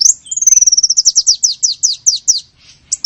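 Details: Lure call for small birds: a thin high whistle leads into a quickening series of sharp descending chirps that slow and fade, ending with one short note.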